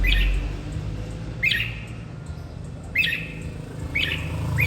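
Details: Short chirpy whistled phrases from a red-whiskered bulbul prompted to sing, repeated roughly every one and a half seconds, set against a steady low rumble of background noise.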